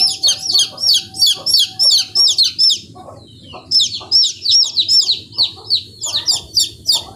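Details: Baby chickens cheeping in quick series, each peep a shrill falling note repeated roughly three times a second, a brief lull midway, then the chorus resumes over a soft low murmur.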